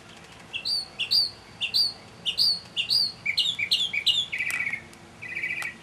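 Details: Mockingbird giving an early evening song in May 2007: varied whistled phrases, each repeated two or three times, shifting from upslurred notes to sharp chips and ending in rapid buzzy trills.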